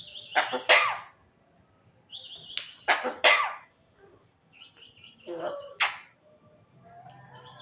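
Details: Javan myna making many cough-like sounds: short whistled notes each followed by a pair of sharp, harsh explosive bursts, repeated in three groups with brief pauses, then a softer whistled phrase.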